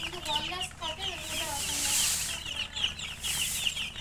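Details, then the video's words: Newly hatched colour domestic chicks, thirsty for water, giving dense, high, rapid peeping chirps that overlap continuously, with some lower sliding peeps beneath and a brief human voice. "Murgi chicks Chirping sounds with thirst for drink water"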